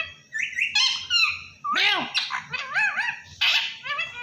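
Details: A parrot imitating human speech, saying "Allah Hoo". Warbling, voice-like syllables bend in pitch, with one low looping note near the middle and a burst of scratchy sound toward the end.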